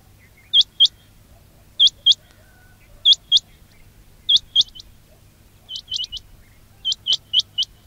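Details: Quail call used for trapping. Crisp pairs of upswept whistled notes repeat roughly every 1.2 seconds, with a later triplet, over steady low background noise.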